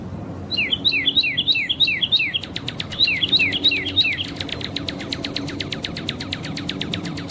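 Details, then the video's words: Red-crested cardinal singing out in nature: quick paired whistled notes slurring downward, repeated in two bursts, then a long run of rapid dry ticking notes over a faint low hum. "CARDEAL VERMELHO ,CANTANDO NA NATUREZA"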